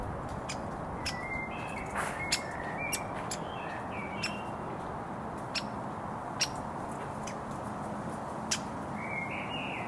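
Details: Woodpecker fledgling begging for food from its parent in a roadside front garden in Surrey, June 2022: short, sharp clicking notes at uneven intervals, interleaved with thin chirps from another small bird, over constant road noise.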